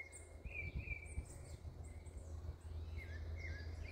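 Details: Rufous-browed peppershrike song: a sequence of clear, sweet whistled notes, some rising and some falling, repeated with brief pauses amid a low hum.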